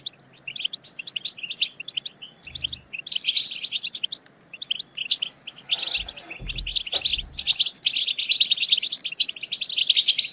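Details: European goldfinch twittering, meant to rouse other goldfinches into song: sparse high chirps build into dense, rapid, tinkling twitters, with a few soft low thumps partway through.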